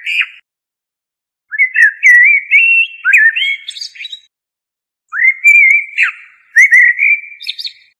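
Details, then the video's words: Blackbird singing several phrases: slurred flute-like whistles rising and falling, each closing with higher squeaky twitters, with silent gaps of about a second. "تغريد طائر الشحرور ( جحمومية - الزرياب ) Turdus merula"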